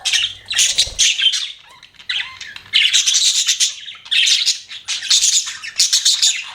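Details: Chirping budgerigars kept as pets produce clustered bursts of shrill, scratchy notes and short warbles, rising and falling in loudness with gaps of under a second.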